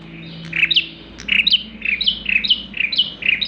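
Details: Bar-winged prinia singing energetically, a recording meant as a lure for other birds: sharp paired chirps sweeping down then up, repeated in a quick, slightly uneven series of about seven phrases, with a low hum in the background.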